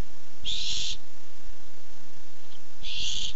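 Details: Barn owl on a webcam, 8-7-15, coming by while looking for food: two harsh, hissing screeches about half a second long, spaced over two seconds apart, with a low steady hum beneath.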